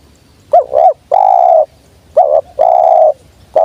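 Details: Spotted dove lure call, known locally as tekukur: two phrases of a rolling double coo and a long sustained coo, a third phrase starting at the end, close and clear.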